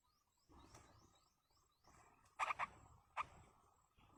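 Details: In the wild, a yellow-vented bulbul parent feeds its chicks: faint high chirps and a low hum open, then the young break in with sharp, grating begging bursts, some doubled.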